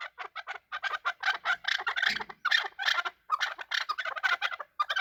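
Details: Chukar partridge fighting, kept as a hunter chakor; dense bursts of harsh, scratchy clucking notes in quick groups, with a brief low rustle midway.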